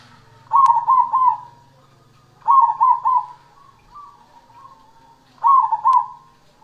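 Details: Zebra dove of the cemani type singing keenly, giving rapid phrases of three trilled coos repeated about every three seconds, with softer gurgles in between and a low steady hum underneath.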